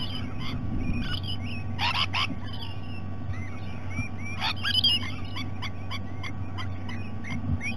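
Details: Breakfast-time visit of Rainbow lorikeets at Sydney Olympic Park, Australia, 2018; sharp, grating squawks in separate bursts with short high chirps between them, backed by a steady low electrical hum.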